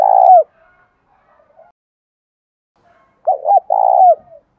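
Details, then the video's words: Spotted dove call meant to prompt decoy doves to coo: the tail of one coo, a quiet stretch with faint soft notes, then a full phrase of two short hoots and a longer burring coo ending in a downward slur. "tiếng cu gáy kích bổi nhanh nổi hiệu quả nhất 2023/ cu gay kich boi nhanh noi gù"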